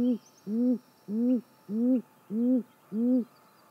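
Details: Female great grey owl calling from the nest at 6:19 am, 28 May 2017: six deep, slightly arched hoots in steady series, roughly one every 0.6 seconds, each short and low-pitched, over faint background hiss.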